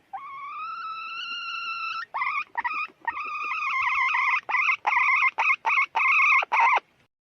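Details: Hen call: a drawn-out, slightly rising nasal note for about two seconds, followed by a quick run of a dozen short, sharp notes that grow louder toward the end.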